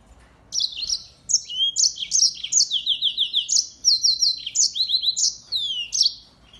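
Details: Yellow-fronted canary, a singing finch used to tutor white-eyes, in lively song: a long sequence of bright, high chirps and downslurred notes with brief trills, repeated rapidly with small gaps.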